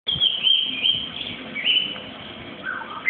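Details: Young white-rumped shama in Malaysia: a loud, sustained, high whistled note that wavers slightly, then a short lower slurred whistle near the end.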